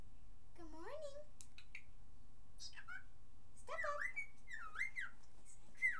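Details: Pet cockatiel that mimics good morning and pretty bird: a low rising warbled phrase, scattered clicks, then a quick series of looping whistled, speech-like notes toward the end.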